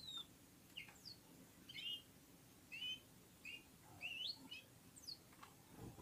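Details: Red-fronted serin (Serinus pusillus), Central Asia, warming up with other birds: spaced bright chirps and upward-slurred whistled notes, one a longer wavering rising phrase, over soft background hum.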